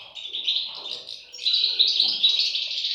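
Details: Chicks of the European goldfinch calling together: a steady stream of shrill, overlapping squeaky chirps that grows louder halfway through.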